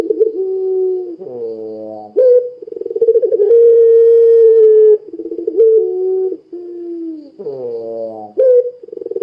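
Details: Pelung-style dove cooing steadily to prompt other doves to call; low harmonic notes alternate with pulsing rolls and long held coos, repeated across the recording.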